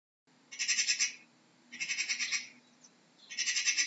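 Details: Magpie giving harsh, rattling chatter: three dry bursts of about nine rapid clicking notes each, separated by roughly a second of quiet, with no other sounds.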